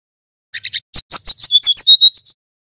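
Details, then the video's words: Male brown-chested jungle flycatcher from Banten singing in the nyuling, flute-like style, used as a master song to train other birds: a few buzzy high notes, then a quick run of clear whistled notes stepping downward and repeated evenly. "Suara Burung SRDC Banten Nyuling Terbukti Cocok Untuk Masteran & Pancingan Sikatan Rimba Dada Coklat"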